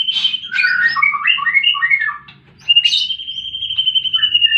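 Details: White-rumped shama fighting song meant to provoke silent birds: jumbled, chattering warbles, a short silence, then a sharp burst leading into a long, sustained high whistle with soft notes beneath; faint low background hum.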